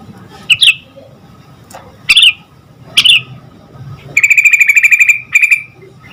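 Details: Sooty-headed bulbul in full voice to provoke answers: three sharp separate notes spaced about a second apart, then a long even rattling trill and a short tail phrase.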